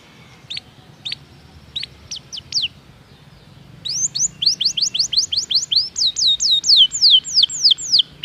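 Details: Canary song played to lure other canaries to sing. A few scattered high chirps give way to a steady tour of rapid sweeping notes that grows louder, over a faint low hum.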